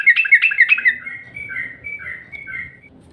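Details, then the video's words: Yellow-vented bulbul lure call: quick bubbly chatter of repeated notes, then softer slurred whistled phrases fading out, with a low hum behind. "Bikin trucuk mudah NGROPEL Mendengar SUARA PANCINGAN TRUCUK INI"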